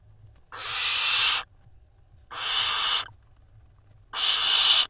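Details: Barn owl nestlings in a nest box in Israel, 3 June 2021, the youngest preening its sibling; three long harsh rasping hisses, each nearly a second, spaced about every two seconds.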